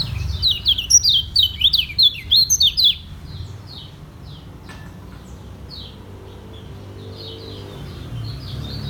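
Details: Lemon-bellied white-eye from Lombok, a cage bird, singing ngejos selow: three seconds of fast, loud, high down-slurred chirps in quick succession, trailing off into faint distant twitters over low background hum.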